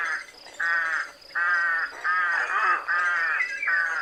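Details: Rook, a corvid said to have a hoarse, low, repetitive voice and to form noisy flocks in rural fields and woodland, especially in winter: a series of six harsh, raspy caws, each about half a second, in steady rhythm.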